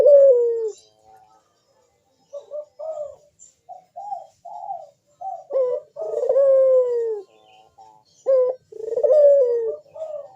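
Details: Dove (burung puter) giving a deep, sharp "bekur" coo in the perched manggung style, used to prompt other doves to call: low, drawn-out, slightly falling coos with short clipped notes between, in rough bursts over ten seconds.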